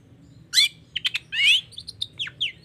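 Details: Brief phrase from a singing long-tailed shrike in toet toet style, a prompt for lazy shrikes: a harsh burst, stuttered short notes, a warbled buzzy slur, then thin falling whistles.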